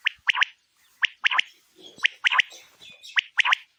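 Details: Female quail calling for quail hunting: bright, quick chirps in tight groups of two or three, each group about a second apart, with faint background rustle.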